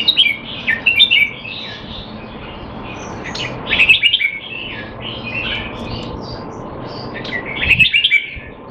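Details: Red-whiskered bulbul kept in Singapore, in training and said to be out of form, giving quick clusters of bright, bubbling whistles at the start, middle and end, amid softer chirping.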